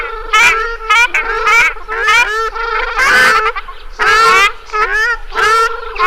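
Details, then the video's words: Ruddy shelduck giving loud nasal, goose-like honks, each a short harmonic 'aang', repeated roughly once a second with brief gaps between calls. "SOUND OF A RUDDY SHELDUCK 🔊 What does a ruddy shelduck sound"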